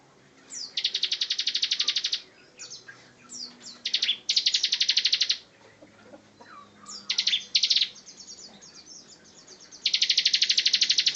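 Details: Bar-winged prinia, a prized songbird in full voice: high, rapid buzzy trills lasting one to two seconds, separated by thin sharp chirps and short whistled notes.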